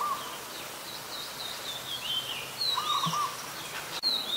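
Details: High, clear slurred whistles and chirps from an adult Red-whiskered Bulbul recorded on 16 December 2020 in Ubon Ratchathani, Thailand, with a short lower rattling trill and a brief click near the end.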